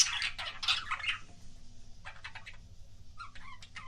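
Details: Budgerigar making what are described as kissing sounds: a loud burst of dense, scratchy chirps at the start, then quieter clusters of short clicks and ticks after a brief pause, with a faint low hum underneath.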